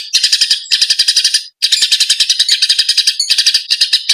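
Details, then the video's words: Training material for songbirds of Eurasian tree sparrows fighting: rapid, piercing chirps delivered in clustered bursts, with a short silence around one and a half seconds and a brief gap near three seconds. "MATERI GEREJA TARUNG"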